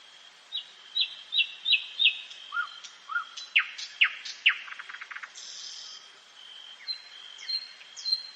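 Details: Common nightingale singing at night in a forest: a series of repeated sharp upslurred notes, then loud descending strokes and a quick buzzy rattle, followed by quieter scattered whistles, all over a faint continuous high tone.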